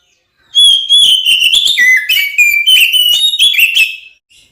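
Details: Oriental magpie-robin in full, lively song used to provoke other magpie-robins into fighting: loud whistled phrases between about 2 and 4k, rapid varied notes with harsh buzzy elements, continuous for about three and a half seconds, no other sounds.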